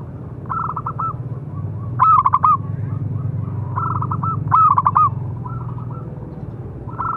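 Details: Zebra dove of local stock giving a strong calling song used to train other doves: alternating softer pulsed coo runs and two loud trilled coo bursts, over a noticeable low rumbling hum.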